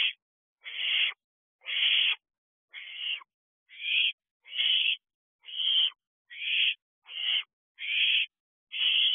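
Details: Barn owl owlets, 10 weeks old, at a nest box in the early morning dark of 15 June 2023: a steady run of ten rasping hisses, each about half a second, repeated roughly every second.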